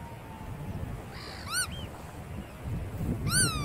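Two short, nasal, arched calls from a bar-tailed godwit, about two seconds apart, over a steady low rumble of wind or distant surf.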